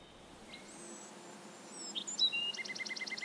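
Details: Bewick's wren recorded in the Pacific Northwest giving thin, drawn-out high whistles. These are followed by a rapid, evenly spaced series of about eight sharp doubled notes over the final second, against faint low background noise.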